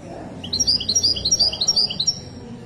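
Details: Moroccan Widani goldfinch singing a fast, high, tinkling phrase of alternating bright notes for about one and a half seconds, with a faint low murmur behind it.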